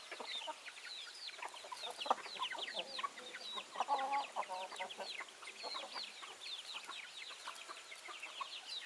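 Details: Flock of backyard chickens keeps up busy overlapping clucking for nearly nine seconds, short notes packed closely with a few louder squawks midway.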